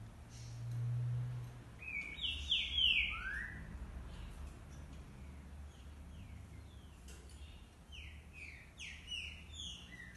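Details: Green-winged saltator (Saltator similis), song.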